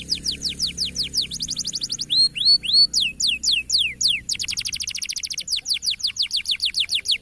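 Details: Sustained local canary song: repeated fast downward-sweeping high notes, a few looping whistled slurs, then more rapid evenly paced sweeping trills, about three to four notes a second.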